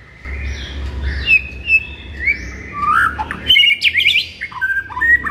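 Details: White-rumped shama singing in the morning, to excite a kept shama; long drawn whistles and slurred notes building into a faster burst of chattering, varied phrases, with low background hum.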